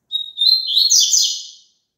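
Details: Double-collared seedeater song, played so a caged bird will sing along: one high steady whistled note, then a fast bright twittering warble that rises and falls, about one and a half seconds long, with a clean quiet background.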